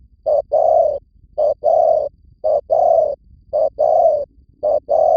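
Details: Lure call of a spotted dove, Vietnam, used to call in birds: five evenly spaced pairs of coos, each a clipped note leading into a longer hollow coo, roughly one pair per second.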